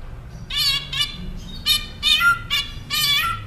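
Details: Northern mockingbird song used as a tutor recording for caged songbirds: six loud, harsh, harmonic notes in quick bursts, each with a low tone beneath, repeated with short gaps over a faint background hum.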